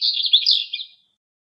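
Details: Male eastern black-eared wheatear singing in Greek nature: a brief, rapid, scratchy high warble of about one second, jumbled chattering notes packed together, ending abruptly; no other sounds.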